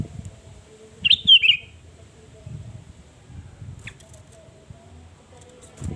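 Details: Sooty-headed bulbul (kutilang) in full 'gacor' voice, a recording used as a lure to provoke rivals: one short bubbly whistled phrase, rising then dipping, lasting about half a second, then quiet with faint low rumble.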